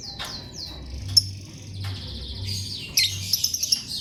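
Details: Lovebird chirping: high, quickly falling chirps at first, then a longer buzzy note and a burst of harsh, scratchy chirps toward the end, over a low hum.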